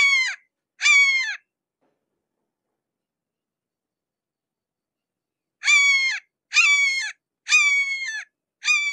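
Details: Close-up red-shouldered hawk: two strident, slurred screams, about four seconds of silence, then four more evenly repeated harsh descending notes less than a second apart.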